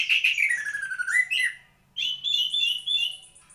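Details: White-rumped shama song, with loud descending slurred whistles, a short pause, then a sustained high warbling phrase with rapid trills.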